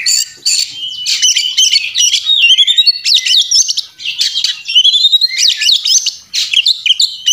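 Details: Oriental magpie-robin in an intense fighting display, delivering a rich, varied song of bright rising whistles, quick stepped trills and buzzy chatter in loud bursts with one brief pause midway.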